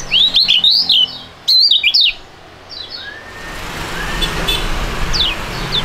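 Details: Young songbird from a singing duet pair of fighting type gives two loud bursts of fast, looping whistled notes, then quieter distant chirps over growing background noise.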